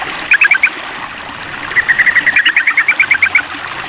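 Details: Calling to a rival, a sooty-headed bulbul gives a short cluster of chirps, then a longer rapid run of about fifteen clipped notes, against a trickling-water background.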